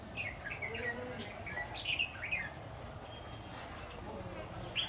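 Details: Threatening a caged decoy while being trapped on 10 September 2019, a red-whiskered bulbul gives quick, slurred whistled notes that swoop up and down in a loose string for about two seconds, followed by quieter rustling and a faint note at the end.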